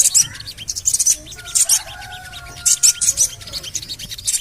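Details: Javan cochoa calling as a lure to set birds singing: clusters of very high, sharp chirps roughly every half second to second, with a faint level whistle sustained behind them midway.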